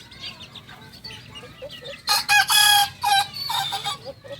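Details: Two-month-old Kokok Balenggek cockerel, a singing breed from Solok in West Sumatra, gives loud broken crow notes in several harsh pulses after soft high peeping from other chicks.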